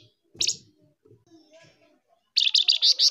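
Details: Flamboyan bird from a lure recording of male and female calls. A sharp chirp is followed by a rapid run of harsh, buzzy notes repeated several times per second, with faint clicks between.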